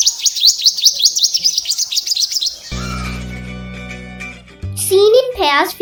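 Purple Sunbird gives quick, thin, high chirps, about two or three a second, for a few seconds. Music and a voice follow.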